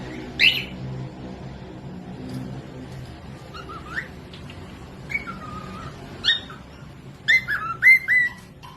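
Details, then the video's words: Sparse cockatiel whistles for tutoring other birds: isolated swooping notes spaced across quiet gaps, with a cluster of three sharp whistled notes toward the end. "Cocok buat pemasteran falk yang malas bunyi langsung nyaut pemasteran cockatiels"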